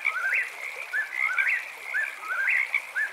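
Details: Eastern whip-poor-will singing at night: rapid three-part whistled phrases, each rising and then dipping, repeated about once a second and slightly overlapping, over a steady high chorus of chirping frogs.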